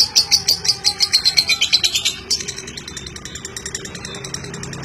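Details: Lovebird 'ngeklek', a long chattering song used to encourage other lovebirds: loud shrill chirps repeat about three times a second for two seconds, then give way to quieter, faster, thinner ticking chatter that continues to the end.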